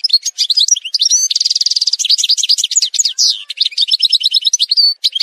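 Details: Algerian goldfinch of the parva form in a song montage: a rapid, unbroken twittering of bright, varied notes, with buzzy trills and a sustained rattling run near the middle. Liquid slurred whistles follow, with no other sounds.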